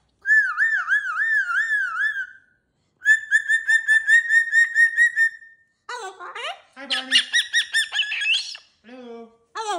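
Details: Pet cockatoo at its cage with new jingly toys: a wavering whistled tone, then a long rapid chain of short whistled notes, followed by squawky speech-like phrases and brief falling calls.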